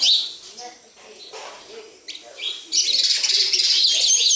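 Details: Sparrows at a house, quiet at first with a few thin chirps, then a sudden continuous chorus of many birds chattering loudly together.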